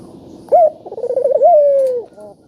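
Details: Single spotted dove phrase, a lure for quiet doves: a bright opening note, a quick undulating roll, and a long, smooth coo sinking at the end, over light background hiss.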